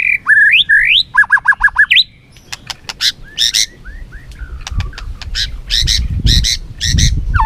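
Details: Competing white-rumped shama singing hard with tail flicking: rising whistles, a quick run of five clipped repeated notes, then harsh squawky bursts and rasping, chattering phrases. The song is loud and varied, with some low rustling noise underneath.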